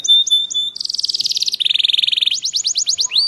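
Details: Caged canary in Indonesian masteran training song meant to trigger other canaries to sing: short clipped whistles, a fast pulsed high trill, a lower rapid trill, then a series of rising-falling swept notes.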